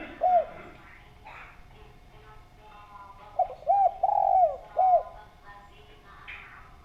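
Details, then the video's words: Lively spotted dove delivering an isolated coo, then a quick run of three arched coos and a longer falling note, with faint background murmurs between phrases. "Derkuku Gacor Suara Bening, Cocok Buat Pancingan"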